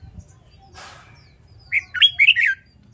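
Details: Caged red-whiskered bulbul trained to sing in a competitive style: a soft rustle, then a bright burst of four quick warbled, slurred whistled notes.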